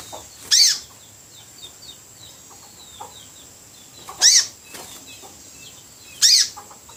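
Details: Newly caught spiderhunter (sogok ontong), already starting to sing actively; three loud, sharp, high arched notes, spaced unevenly a few seconds apart, with faint softer chirps and low hum between.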